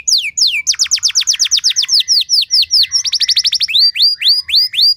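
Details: Canary song played as a lure to get other canaries singing: rapid series of high down-slurred whistles, then a quicker burst of clipped notes, and finally looping up-swept whistles, all loud and clear.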